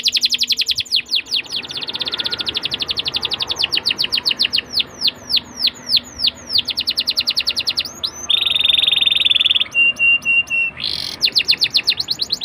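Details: Atlantic canary song used to get young canaries singing, long sequence of rapid repeated notes and downslurred whistles, then a buzzy trill, flat whistles and a closing rising sweep.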